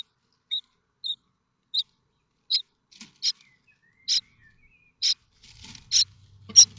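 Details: Begging of common starling nestlings waiting for a parent with food, Théding, France, 7 May 2024; thin short chirps at first, then louder harsh rasping bursts, with rustling and a low hum toward the end.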